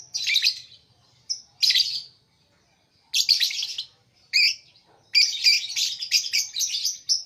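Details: Lovebird uttering harsh, high chirps in separate bursts, then a faster chattering series of sharp twittering notes near the end.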